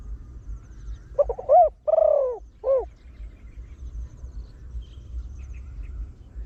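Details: One phrase from a deep-voiced trained Spotted Dove used to pull in wild birds, in the rapid 'khan yon one kuk' style: brief stutter, a loud coo, a longer buzzy coo and a short final note, then silence.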